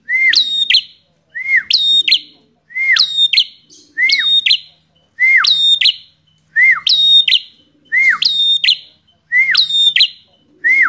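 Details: Combative visiting Bar-winged prinia in steady song: nine evenly paced phrases, each a lower arched whistle dropping away followed by a high ringing double note, repeated about every 1.2 seconds.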